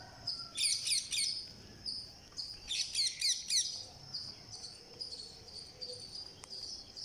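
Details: Green parakeet at day 49, being fed: two bursts of harsh, rapidly pulsed high chirps, each about a second long, with a steady high hiss behind them.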